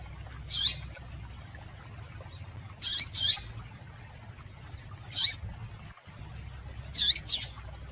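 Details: Female coleiro, the Double-collared seedeater, calling to prompt male song: about eight high, clipped chips, several doubled in quick pairs, irregular rhythm, faint low hum behind.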